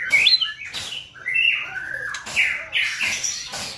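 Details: Lure recording of white-rumped shama song meant to trigger singing and excitement: bright, slurred whistled phrases in quick bursts separated by short gaps, with brief noisy attacks.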